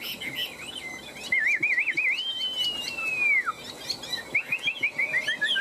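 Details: Caged Chinese hwamei, one of two tame birds kept three years in cages, singing a competitive fighting song: quick wavering warbles, then a long clear whistle that slides gently down and drops sharply at the end, followed by more bubbling trills.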